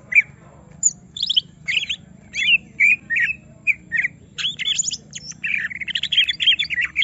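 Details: Greater green leafbird, provoked until agitated, delivering its full song: dense bursts of scratchy chirps and squeaky slurred notes, building into a busy chattering jumble toward the end.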